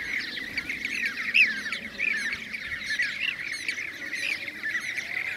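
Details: Several Blue-cheeked bee-eaters in Şanlıurfa, Turkey, 2016, uttering rippling, trilled contact notes that overlap into a busy chatter, some calls louder and nearer, over a faint low background hum.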